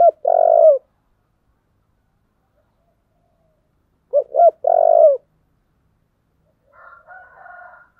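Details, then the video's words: Spotted dove with a 'giọng thổ' voice, urged to fight, gives two loud phrases about four seconds apart, each of two short notes and a long, low coo. A fainter, rougher cooing follows at the end. "cu gáy giọng thổ/ cu gáy thúc đấu"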